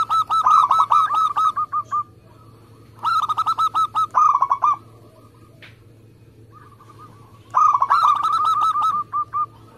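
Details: Local zebra dove, a contest-type bird, in a fast, tightly packed singing style: three bursts of rapid, evenly spaced cooing notes, each about ten notes long, separated by quieter pauses holding softer trailing coos.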